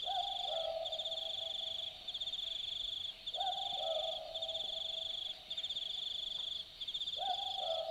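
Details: At night in Australian bush at Dharug, an Australian boobook repeats its two-note boo-book, each low hoot pair spaced roughly four seconds apart. Constant shrill insect trilling fills the background throughout.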